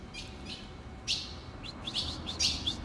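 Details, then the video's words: An ultramarine grosbeak gives a string of short, high, sharp chip notes, some in quick pairs, over a steady low background hum. "Seu azulão vai ficar louco com esse piado"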